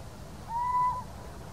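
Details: Little owl giving a single clear, drawn-out, slightly rising whistled hoot lasting about half a second, over a soft background hiss.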